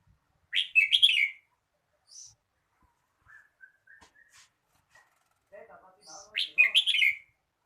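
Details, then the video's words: Red-whiskered bulbul singing two loud, quick whistled phrases separated by several seconds of soft chirping notes, each phrase bubbly and descending at its end. "chào mào hót"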